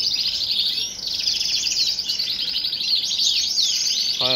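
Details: Caged male Shirazi Jazri canary from Baghdad in full song, ready to breed and fluttering its wings: a continuous high, rapid trilled warble of rolling phrases and sweeping notes, ending with a brief low rattling pulse series.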